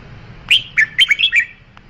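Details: Red-whiskered bulbul song phrase of six liquid whistled notes, swooping and bouncing in quick succession, ending with a faint click; soft background hum.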